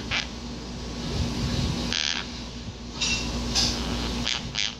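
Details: A pet monk parakeet talks to itself in short, harsh, scratchy bursts over a low steady hum.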